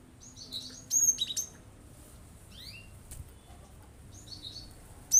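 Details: Cinereous tit delivering shot-like song phrases meant to rile other birds into singing: scattered piercing high notes, a loud clustered burst near the start, a few fast downslurred chips, and another sharp note at the end.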